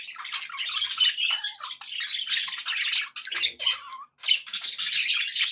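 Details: Pet budgies in a happy mood chattering: continuous buzzy, grating warbles and high squawks, a brief silence near the end, then the chatter resumes loudly.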